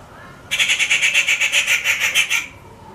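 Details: A rufous treepie (Dendrocitta vagabunda), a regular backyard visitor, gives a harsh, grating screech of rapid repeated notes lasting about two seconds.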